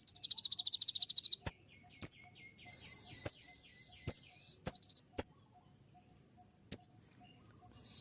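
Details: Sunbird song meant to provoke a response and to court a female: a rapid high ticking run, then scattered sharp whistled upslurs, a long buzzy hiss and brief chips with quiet gaps.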